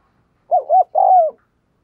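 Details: A decoy spotted dove's provoking coo: two quick rising notes joined together, then a longer level coo that droops in pitch, given once in a quiet setting.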